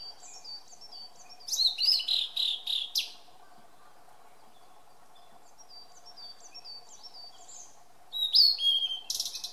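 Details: In Maruhi Nature Park on 26 April 2014, a blue-and-white flycatcher sings two bursts of clear, high whistled notes with a buzzy, slurred ending, with soft high chips and a steady insect hum in between.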